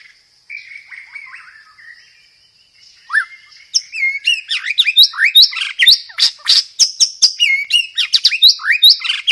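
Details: Master recording of a white-rumped shama for teaching caged birds, full of filler phrases. Soft wavering whistles at first, then from about three seconds a dense, fast run of sharp chirps, slurred whistles and trills over a faint high whine.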